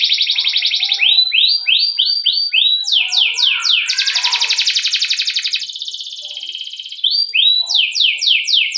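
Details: Canary giving a long rolling lure song for training other canaries: fast high trill, a run of repeated descending swept notes, a long dense rolling trill fading softer, then more descending sweeps.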